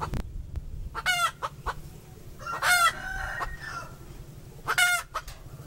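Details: Female chicken cackling: sharp clucks and three loud raspy squawks, the middle one longer and trailing off. A low background rumble persists throughout.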